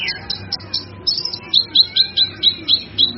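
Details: Cucak kinoi tutor song for training cage birds: a brief rising whistle, then a rhythmic series of sharp high chirps spaced evenly about every quarter second.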